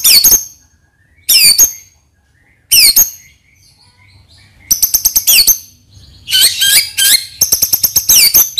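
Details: White-rumped shama singing a lure song intended to provoke other birds: three separate sharp sweeping whistles, then longer phrases of rapid high chattering and clicking notes with slurred whistles mixed in.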